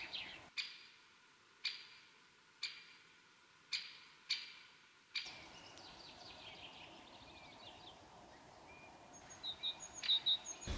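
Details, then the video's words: Wild western capercaillie lekking at dawn in forest in Russia in 2013: sharp, dry clicks about once a second, six in a row, then quiet with faint chirps of other birds. "Lekking capercaillie in Russia"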